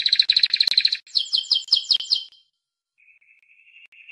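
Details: Timbrado canary gives a rapid rolled trill, then a slower run of chopped, bell-like notes, stops, and follows with a soft, quiet, steady tone.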